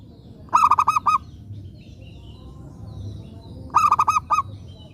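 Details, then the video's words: Local zebra dove kept as a lure to draw answering calls from other doves, singing two matching phrases of rapid, rhythmic, throaty coo pulses roughly three seconds apart; faint hum underneath. "Pekutut lokal gacor RAJA PIKAT ini ahlinya bikin semua burung perkutut gacor nyaut"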